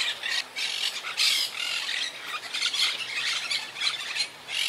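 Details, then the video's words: Quaker parakeets in a wild colony that lost about half its members to hurricane Irma in 2017, calling from high trees: loud, harsh, grating squawks in rapid overlapping bursts, nearly unbroken, several birds at once. "Yacht Club Colony Retrospective🌴 Clips and Sounds 🦜"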